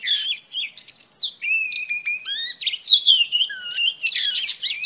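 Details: Singing female oriental magpie-robin, performing to stimulate a male: sweet fluty whistles, held level notes and quick downward slurs woven into a lively, unbroken warble.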